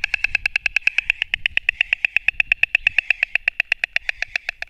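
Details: White storks fighting, recorded 29 March 2024 from a live nest camera: fast, steady, wooden bill-clattering rattle of sharp clicks, several per second, unbroken, with a faint low rumble beneath.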